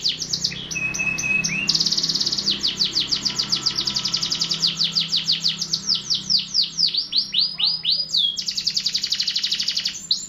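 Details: Canary singing continuously, a long run of rapid repeated trills: falling buzzy notes between high whistles, with a steady whistled tone and fast rolling phrases that change every second or two.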